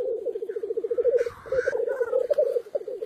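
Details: Black grouse at the lek, a rapid rhythmic bubbling coo rolling along steadily, broken by a loud hissing sneeze and a short whistled note before the bubbling resumes.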